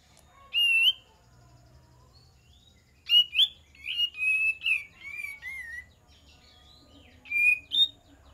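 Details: Kapas tembak lure song: one bright whistled note, a pause of two seconds, then a lively string of five or six slurred, warbling whistles and two closing notes.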